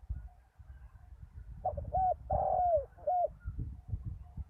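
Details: Spotted dove used as a ground decoy after a storm, with a deep wild-bird voice: a short coo phrase of three low hooting notes, the middle one long and falling at the end, over a low rumbling background.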